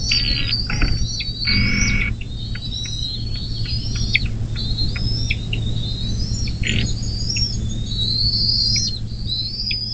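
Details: High squeaky chitters from a Bald eagle at a riverside nest near South Lebanon, Ohio, USA, 24 May 2024, mid-morning, recorded by a nest cam: piercing whistled notes with dropping tails, a few broad scratchy bursts and a constant low electrical hum.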